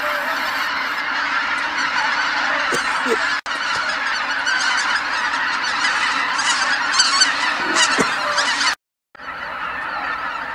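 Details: Wild geese by the tens of thousands returning to Kabukuri-numa marsh at dusk: a thick chorus of honking with a few louder, nearer calls standing out, two brief breaks in the sound, then the clamour resumes.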